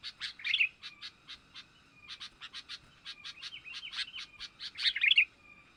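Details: Sooty-headed bulbul, a young bird, lure call used to attract wild bulbuls: rapid series of short, sharp chirps in quick bursts, ending in a louder, twisting chatter, over a faint steady thin tone.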